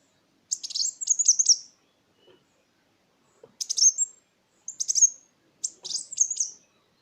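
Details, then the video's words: Sunbird lure song (kolibri wulung) for tutoring songbirds: four short bursts of high, sharp twittering notes, each about a second long, separated by brief silences. "Suara pancingan burung Kolibri Wulung"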